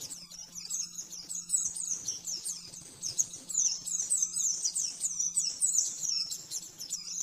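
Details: Oriental white-eye master song for training caged birds, fast 'nembak-nembak' style: dense stream of high chirps and short trills with many clicky notes, moderately soft, low hum in the background.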